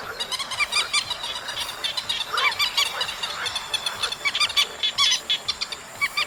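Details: A chestnut munia chorus from an August recording: a dense stream of sharp, high chips and squeaky notes pulsing quickly, several birds calling at once above a soft hiss.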